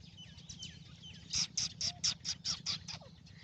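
A francolin gives a burst of harsh, shrill, scratchy notes, about four a second, after faint thin whistles from other birds over a low steady hum.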